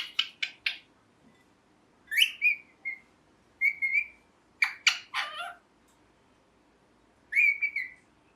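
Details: Talking pet ringneck parrot: rapid chirps, rising whistled squeaks and short squawk bursts in irregular clusters, with quiet gaps between groups.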